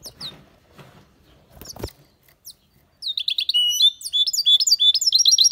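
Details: European goldfinch, aviary bird, singing loudly: a few scattered chirps and a low thump, then a fast twittering run of bright, tinkling high notes with repeated rising-falling trills.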